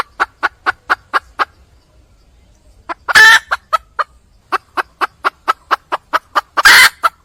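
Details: Red junglefowl hen, wild, calling for a male: runs of short rasping clucks broken by a pause, with two louder, noisy, drawn-out bursts between the series.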